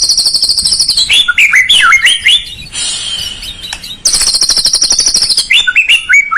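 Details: Shama lure song to provoke a lazy bird: high buzzy trill flowing into bouncing whistled phrases, a softer interlude, then another long trill and a few rising whistles.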